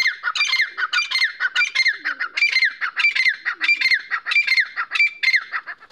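Grey francolin giving loud, harsh, squawking notes in a rapid series, each a grating rise-and-fall, repeated without pause; no other sounds stand out.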